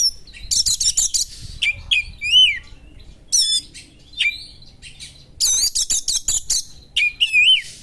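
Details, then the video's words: Sharp, emotive song of a white-rumped shama mimicking small birds: rapid bursts of high chattering notes alternating with rich, looping whistles that rise and fall, in energetic phrases with brief gaps. "suara burung kacer materi tajam burung2 kecil,mengungah emosi kacer"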